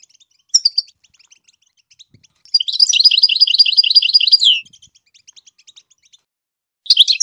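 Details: Goldfinch singing to teach its chicks to sing: brief high twitters, then a rapid two-second run of liquid, buzzy notes repeated several times a second, then a short twittering burst at the end.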